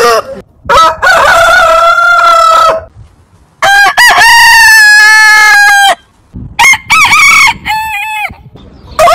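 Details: Long rooster crows drawn from a heritage-breed compilation: three main drawn-out cock-a-doodle-doo calls, each opening with short stepped notes then holding a steady harmonic tone for over a second before dropping, clean background.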